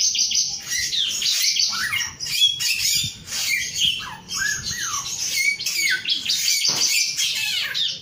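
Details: Male Chinese Hwamei pouring out a harsh, high, scratchy stream of notes, broken by a few looping whistled slurs, loud and almost continuous throughout.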